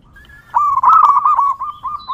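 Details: Wild local zebra dove in song, used as a lure for other zebra doves: a single continuous rolling trill of soft cooing notes, rising sharply at the start and wavering along its length.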